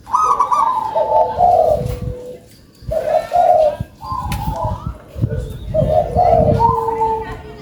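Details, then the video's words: Big-voiced local zebra dove gives three separate phrases of fast, rolling coos, each ending in a steady, drawn-out lower note, with short quiet breaks between them. "PERKUTUT LOKAL SUARA BESAR"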